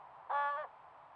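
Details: Young crow in Nova Scotia, Canada, asking its parent for food near a brook: one short, rasping, nasal call with a steady pitch, over a quiet background.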